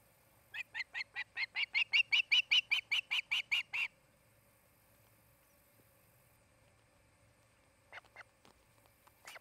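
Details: Osprey at a nest near Charlo, Montana: a quickening run of about fifteen sharp whistled chirps that swell in loudness and stop suddenly, followed by silence and a few faint clicks and chirps near the end.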